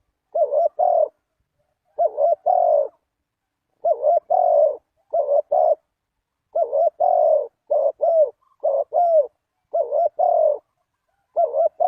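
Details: Spotted dove used as a lure for trapping wild doves: loud, clean phrases of deep coos around the same low pitch, each a quick double note followed by a longer drawn coo, repeated about every one to two seconds with no other sounds.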